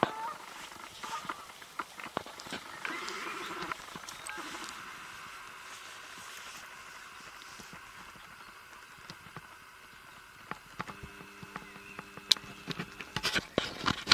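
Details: Grey herons at Barmener See, seen from a lookout point, recorded 29 March 2020. They give hoarse, nasal squawks early on, then a lower drawn-out croak near the end, amid scattered clicks and a constant hiss.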